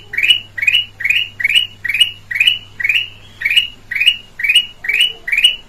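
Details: Black-crested bulbul, red-eyed form, from Sumatra, with a clear voice used as a lure for other birds: short harsh rising notes repeated about twice a second, roughly a dozen in a row, over a faint low hum.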